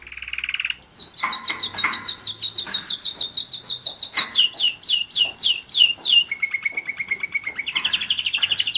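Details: Pet German Roller-split canary, one year old, in song: a high buzzy opening, then rapid trilled notes, a run of falling whistled slurs, a low steady rolling trill, and a closing high trill.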